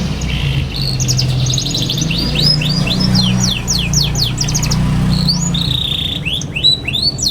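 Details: Young domestic canary twittering in its chattering ngeriwik style, offered as a tutor for young canaries learning to sing: rapid high downslurred notes and short trills in quick bursts, over a steady loud low hum throughout.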